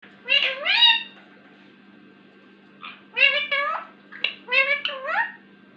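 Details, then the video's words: Indian ringneck parakeet talking: a quick pair of high, nasal, speech-like syllables, a pause of about two seconds, then a longer run of five or six rapid harmonic syllables, over a steady low electrical hum. "talking parrot | miyan mithu | ringneck parrot"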